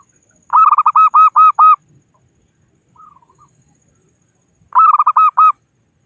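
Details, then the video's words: Wild local zebra dove calling rivals, used as a trapping lure: a quick phrase of six or seven rich cooing notes, a faint short murmur after a pause, then the same phrase repeated in otherwise quiet surroundings. "Suara Burung Perkutut Lokal Pikat Gacor Ahlinya Memanggil Lawan"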